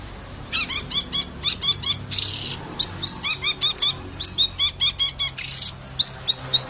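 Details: Long-tailed shrike singing a series of short, high, chirping note groups repeated steadily, about two per second, with a scratchy buzzy phrase in between.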